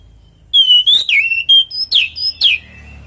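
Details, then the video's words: Orange-headed thrush natural song meant to coax other birds into singing: a long clear whistle followed by a quick series of sweeping, downward-slurred whistled notes. "Pancingan burung anis merah|Agar nyaut Dan ikut ngeplong|"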